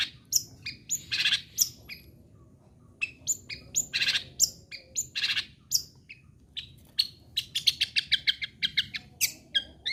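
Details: Persistently singing long-tailed shrike, used to stir other shrikes to keep singing; scratchy bursts and sharp high whistles, a quiet pause mid-clip, then a fast run of rapid repeated chips toward the end.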